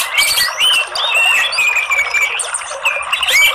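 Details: Orange-headed thrush chirping ('ngeriwik'), used as a therapy lure to prompt a reluctant singer: continuous high twitter of short whistled slurs and squeaky notes with few pauses.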